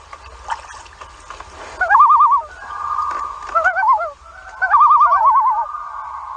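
A loon gives wavering, quavering calls that alternate with long, steady mournful notes.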